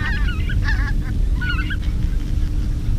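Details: Greater white-fronted geese answering decoy calling, 2016: a rapid run of high, yelping, slurred honks from several birds overlapping in the first two seconds, then fading, over constant low wind noise.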